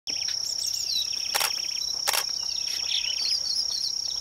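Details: Firethroat (Calliope pectardens), call.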